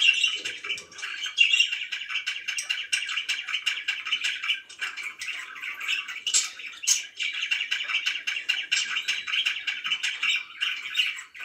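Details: Budgies kept as pets chatter steadily, a busy stream of rapid tweets, buzzy warbles and short squeaks layered together, with a few sharper high notes standing out near the middle.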